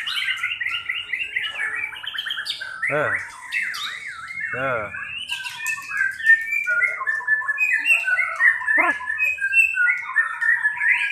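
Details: White-rumped shama in a 'pastol' class contest simulation, singing rapid varied phrases of whistles and trills broken by a few harsh, wavering downward-sweeping notes, the song continuing densely to the end.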